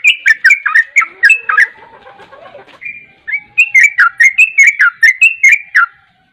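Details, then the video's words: Kept sooty-headed bulbul in a persistent 'ropel' song for contest training: quick series of loud, liquid, fluty notes repeated rapidly, a brief softer warbling pause, then another long run of punchy bubbling notes. "Burung trucukan ropel paling ngotot"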